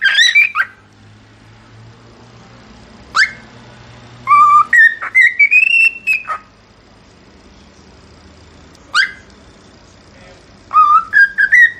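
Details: Cockatiel whistling in bursts separated by quiet gaps with low hum: brief rising chirps, then a run of clear notes climbing in steps, and a final climbing whistled phrase.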